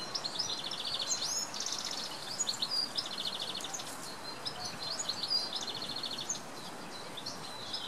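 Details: Male goldfinch singing in the early morning: fast tinkling twitters and buzzy rattled trills, high and jumbled, over a constant hiss of background noise.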